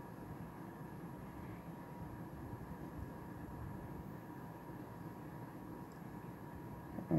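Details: Low, steady mechanical rumble like a passing vehicle or aircraft, with a constant faint hum and no animal calls.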